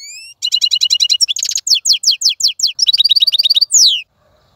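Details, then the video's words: European goldfinch caught in the wild and now caged, singing without pause in a clean voice: quick ringing twitters, a buzzy burst, fast repeated chirps, and a sweeping descending note before stopping. "مقنين خلوي يغرد بصوته النظيف, تغريد حسون بري دون توقف"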